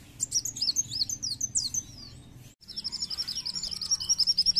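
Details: Lure call of a Purple-throated Sunbird, played to get other birds singing: high, thin, wavering twitters tumble quickly for two seconds, a short gap, then a brisk stream of sharp, very high chips.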